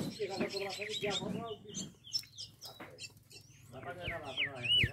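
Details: Green-winged saltator (Saltator similis) singing clear, rich whistled phrases with bright downslurred notes at Piriá on 21 December 2023, with a man talking over much of the song.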